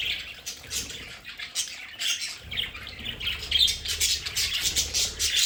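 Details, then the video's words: Pet budgerigars in their play area at home chatter with scratchy, squawking calls in irregular bursts, rising in density toward the end, over a low background rumble. "Sonidos de budgies para Budgies en casa"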